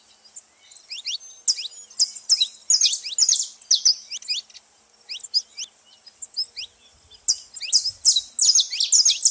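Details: Saffron finches calling at a feeding place, bursts of clustered high chirps and rising whistled notes alternating with short quieter gaps, many birds at once.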